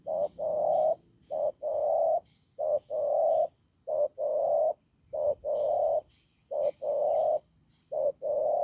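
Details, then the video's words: Field spotted dove giving a hoarse, firm coo: low mellow two-part phrases, a short note then a longer drawn-out one, repeated steadily about every 1.3 seconds, with faint higher chirps in the background. "Bổi đồng khàn cứng gù"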